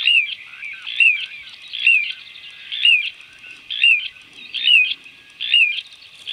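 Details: A Little Ringed Plover calling in the background while a wood sandpiper bathes: short, high, down-slurred whistled calls, repeated about once a second over a steady wash of background chatter.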